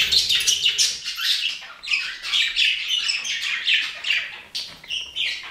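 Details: Budgerigar giving a continuous, fast warbling chatter of bright chirps and short squawky notes, with brief pauses between bursts.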